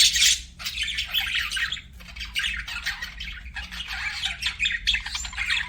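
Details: Chirping budgies kept as pets: bursts of loud scratchy chatter broken by brief quieter gaps, then busy warbling resumes, over a faint steady hum.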